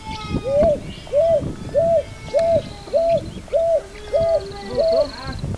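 Picui Ground Dove giving eight soft, hollow arched coos, each rising then falling, about every 0.6 seconds. Faint calls from other birds sound in the background.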